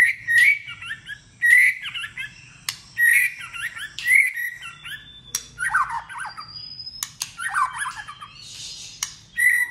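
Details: White-rumped shama singing in competition: a varied run of loud whistled and warbled phrases, about one each second early on, then dense chattering notes, with occasional sharp clicks.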